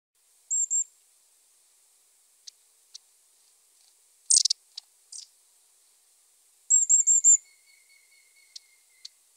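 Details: Long-tailed tit giving thin, very high calls: a pair of short notes, a dry burst, then a run of four quick high notes, with faint lower trilling and scattered clicks in quiet surroundings.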